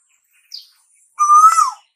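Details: Single Asian koel call, a bird said to call in the summer: one sustained whistled note that rises gradually and then drops sharply, preceded by a brief faint high chirp.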